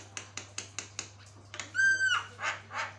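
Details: Singing Javan myna, its song said to draw replies from other mynas: a run of evenly spaced dry clicks, then a clear level whistle with overtones, followed by two rough, swelling rasps; steady low hum beneath.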